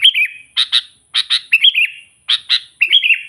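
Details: Energetic sooty-headed bulbul calling to rival birds: brief fluty phrases with a stepped rise and fall, separated by pairs of scratchy chattering notes and short silent gaps.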